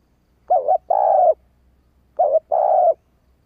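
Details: Female spotted dove giving the thúc urging call to quickly provoke male doves into responding: two paired low cooing phrases, each a short wavering note followed by a longer steady coo, the pair repeated after about a second of silence.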